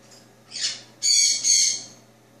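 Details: Pet male Jenday conure, two years old, recorded indoors in the early morning after drinking bird milk. One short harsh screech, then a longer, louder rasping squawk in two parts, over a steady low hum.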